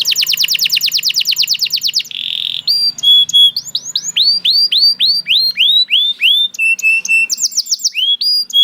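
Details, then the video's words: Canary singing a fast high trill, then a buzzy note, followed by many looping rising whistles at a steady pace and another short rapid trill. "The Lazy Canary Sounds Immediately After Hearing the Sound of the Canary This One || Voice of Canary"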